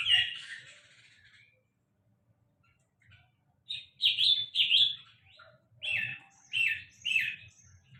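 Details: A sulingan laut gives an opening chirpy burst, falls silent for about two seconds, then resumes with a quick cluster of bright whistled chirps and three spaced, slightly slurred calls.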